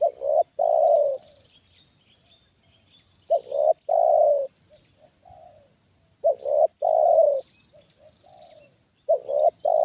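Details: Spotted dove kept for luring wild birds, reacting to a wild dove for the second time; repeated loud coo phrases, two clipped notes then a long throaty coo, about every three seconds, with quieter answering coos in the gaps.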